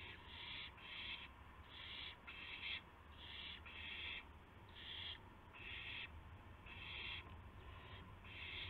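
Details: Owl heard just after midnight, 12:25 AM on April 7, 2016, as a gopher is delivered amid flapping and pouncing; rasping screechy bursts, often in close pairs, recurring about every second over faint hum.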